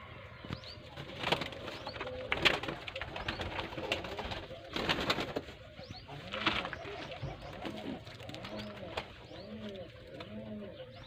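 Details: Pigeons (kabutar) in a village in Sindh, Pakistan, cooing in low, rounded, repeated phrases that grow clearer in the second half, with sharp knocks, clatter and faint voices in the first half.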